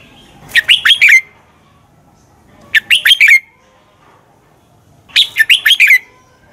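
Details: Red-whiskered bulbul competition song used to excite other birds into singing: three loud phrases of quick, tumbling whistled notes, spaced about two seconds apart.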